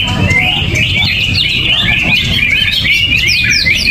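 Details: Greater green leafbird sings without its cover or banana, a fast stream of high clear whistles and downward-slurred chips, rippling and unbroken, with low humming noise beneath.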